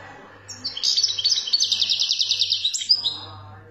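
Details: ['European goldfinch from Algeria singing in the khaloui style, a dense rapid twittering run of high buzzy trills and tinkling notes lasting about two and a half seconds, over a faint pulsing low electrical hum.']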